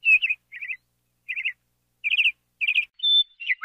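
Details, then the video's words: Singing lark gives clipped, rapid trilled phrases separated by brief pauses, then a sustained clear whistle and a rising slurred note at the close; no background noise. "Жаворонок lark"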